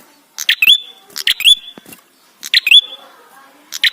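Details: Ashy tailorbird song meant as a lure to make tailorbirds sing: three emphatic phrases of snapping clicks running into a clear, upward-bending whistle, spaced about a second apart.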